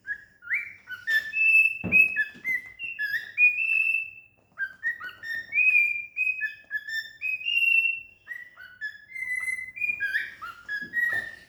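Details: A happy cockatiel, singing while playing, gives a run of clear whistled notes sliding up and down in short rising phrases.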